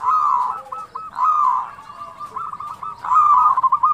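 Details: Zebra dove (local perkutut) in "kerot" and "bekur putar" style, used to coax other doves to sing: a strong rolling coo, then quick stuttering trilled notes, then another loud burst.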